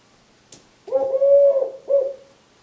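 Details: Eurasian collared dove, a three-year-old male, wing-tapping and cooing his "please lay eggs" song toward his mate: a single sharp tap, then a deep sustained coo and a short closing note.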